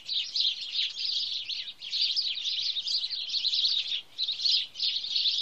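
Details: House sparrows in Wittlich, 2017, a flock in steady, dense chattering: overlapping high chirps merge into a continuous busy twitter with only brief dips in loudness.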